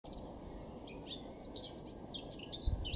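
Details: A Eurasian blackcap sings on 26 June 2016 in Cambridgeshire, UK: a quick, scratchy warble of high, tumbling notes in a steady stream, over a soft low background rumble.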